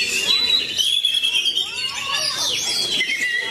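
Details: Magpie-robin (kacer) of the type called matador, performing: clear whistled notes held near one pitch, then quick upward and downward slurs and sweeps, with faint background chatter.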